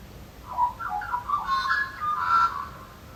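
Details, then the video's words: Australian magpies calling in the middle of the night, around 1 to 2 a.m., during nesting season, males singing to defend and proclaim territories; a mellow, fluted warble of rising and falling notes, ending in a longer, higher phrase over faint hiss. "And I opened the front door and I went out and it was magpies calling in the middle of the night, 1, 2 a.m. in the morning."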